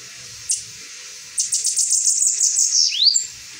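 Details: A single sharp chip, a pause, then the saffron finch's rapid string of high, ringing repeated notes, ending in a swooping upward slur and one final high note.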